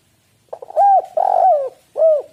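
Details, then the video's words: Spotted dove cooing, used as a lure to get other doves calling eagerly: soft stuttered notes lead into a long hooting coo, then a drawn-out falling coo and a final short rounded coo, all low and mellow. "tekukur super gacor suara prangsang untuk burung"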